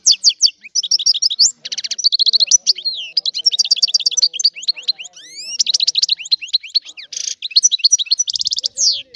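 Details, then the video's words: European goldfinch in full song, a dense, almost unbroken stream of tinkling chirps, rattling trills and rising slurred whistles lasting the whole stretch. "تغريد الحسون"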